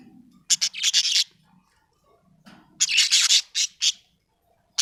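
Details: Budgerigar described as happy, chirping in bursts: harsh, scratchy warbled notes in two clusters of rapid chatter separated by a quiet gap, with a faint low hum beneath.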